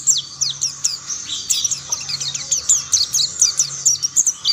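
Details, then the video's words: Mountain white-eyes singing as other birds of the same kind join in: dense high twittering of rapid, sharply falling chirps and trills from several overlapping birds, with a faint low hum beneath. "Tidak butuh waktu lama pleci Monty lain pasti ikut bunyi"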